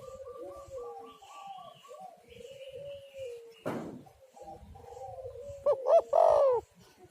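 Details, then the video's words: Spotted dove cooing played as a lure to make doves call: a few soft gliding coos with a high whistle early, a sharp click, then a loud throaty three-note coo, rough and slightly descending. "tekukur super gacor cocok untuk pancingan burung"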